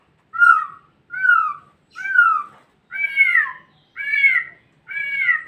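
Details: White-rumped shama, captive-bred, giving six rich, down-slurred whistles one after another, roughly every second, each note arched and slightly higher later in the series.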